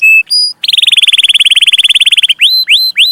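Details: Canary singing in a recording meant to tutor young canaries: two pure whistled notes, then a long rapid rolling trill of about twenty-five beats, ending with three rising upslurred chirps.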